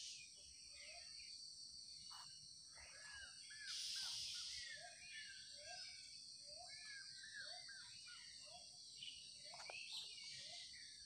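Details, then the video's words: Morning chorus of birds, with many short curved chirps repeated about twice a second, overlapping one another, against a steady high hiss and a brief louder noise. "Enjoy the chirping of birds and the view of nature in the morning."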